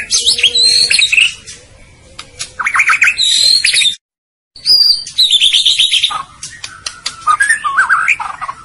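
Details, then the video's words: Training song from a white-rumped shama (Murai Batu), meant to make listening birds excited and sing: dense high chattering phrases, a low steady whistle, a short silence, then descending warbles and rising slurred notes. "Suara Burung Murai Batu | AKAN EMOSI dan IKUT GACOR Dengan Masteran Ini"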